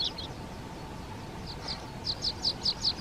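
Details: Water pipit in the Czech Hrubý Jeseník mountains giving a few scattered high notes, then a regular run of five sharp chips, amid steady broadband background noise.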